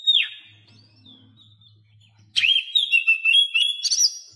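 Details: Oriental magpie-robin song played to prompt silent caged birds to sing. A single downslurred whistle is followed by a pause, then a fast run of varied whistled and chattering notes.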